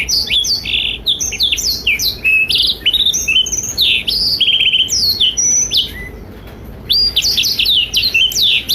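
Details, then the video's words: Tutor song from a blackthroat for young and adult canaries: rapid high twitters and buzzy trills, a softer stretch near the end, then the quick whistled phrases resume. "Blackthroat Gacor Masteran Terbaik untuk Kenari Paud dan Dewasa"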